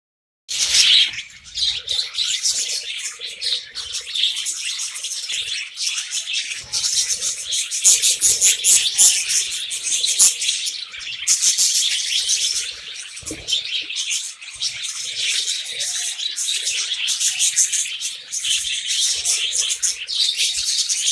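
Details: Budgerigars (Melopsittacus undulatus) keep up a dense, continuous stream of high, scratchy chirps and warbling chatter.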